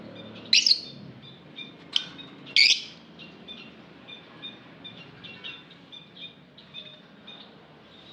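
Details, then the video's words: Lovebird chirping: three sharp, piercing squeaks in the first three seconds, the last one longest and harsh, followed by a run of quieter, thin, high twitters. "Lovebird Singing Call & Chirping Sounds"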